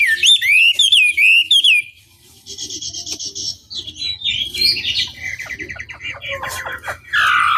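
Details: Lure song of a Chinese hwamei intended to make others answer: loud looping whistles at the start, a quieter jumble of buzzy and scratchy notes in the middle, then a strong harsh burst at the end.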